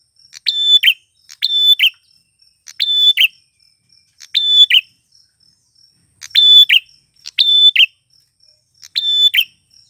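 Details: Singing male grey prinia, a recording meant to draw in wild females, repeats a high phrase about seven times: a flat sustained whistle ending in a short slurred buzz, spaced roughly every one to two seconds, no other sounds.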